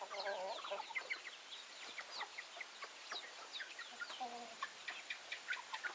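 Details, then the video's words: Backyard chickens in a busy chorus of short overlapping clucks and chirps, some low and nasal, others high and sharp, with no pause across the whole stretch. "Chicken Sounds, Backyard Chicken"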